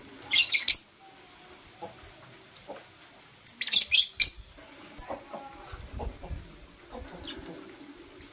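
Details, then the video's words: Kissing lovebirds, Blue Opaline and Euwing Opaline, in the morning: two bouts of rapid, scratchy high chirps a few seconds apart, followed by sparse quieter squeaks and faint rustling. "LoveBird Kissing - Lovebird Chirping Sounds"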